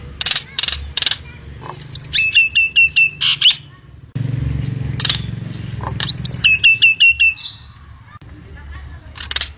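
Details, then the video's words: Common myna (jalak nias) singing: harsh buzzy bursts alternate with two bright runs of rapid clipped whistles, with low background rumble in the middle. "Suara Kicaun Burung Jalak Nias Full Isian"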